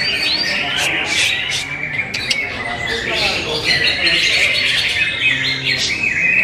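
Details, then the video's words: Greater green leafbird singing as training material: a rapid, continuous medley of bright, high whistles and chattering trills that rise and fall without pause. "Materi berkelas cucak hijau"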